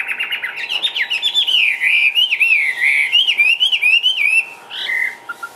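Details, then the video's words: Chinese hwamei in a cage, singing ngũ trường style as it hops and dances: a continuous wavering whistle that rises and dips in quick loops, ending with a few separate higher notes. "HM 366 ngũ trường xòe siêu mỏ tung tăng nhảy múa"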